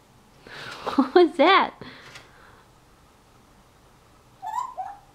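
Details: African grey parrot, a pet just over a year old, talking indoors and mimicking words and phrases: a burst of harmonic, speech-like syllables with varied rising and falling pitch, then a brief quieter whistle-like call.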